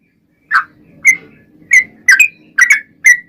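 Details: Yellow-vented bulbul in energetic 'gacor' song, used to lure other bulbuls into answering: six short, bubbly, slurred notes around the middle of the range, spaced about half a second apart, with a faint low hum underneath.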